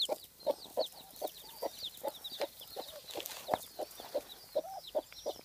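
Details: Broody hen with her chicks, a farm bird that hatched rather too many eggs and seems agitated: steady low clucks roughly every half second under a constant spray of thin, high chick peeping.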